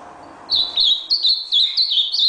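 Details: Ultramarine grosbeak, red nose type, bursting into a quick series of about seven clear high whistled notes, each swooping slightly, delivered in under two seconds with little background noise.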